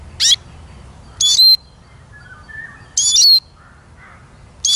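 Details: Eurasian siskin delivering a series of short, wheezy, high-pitched notes spaced one to two seconds apart, some doubled. Quiet lower whistles from other birds are heard between them.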